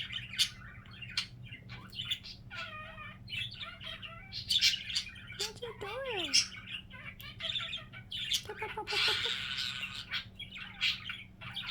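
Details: Pet budgerigar making its funny signature sound: busy warbling chatter of short chirps and clicks, with a few wavy whistled notes dipping and rising around the middle, plus a steady low hum beneath.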